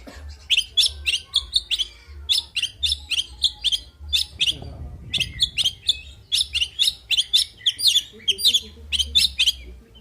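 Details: Fighting song of the oriental magpie-robin, or kacer: long runs of loud, piercing, evenly paced chirps with a short break midway, a low rumble briefly underneath, and a steady faint hum.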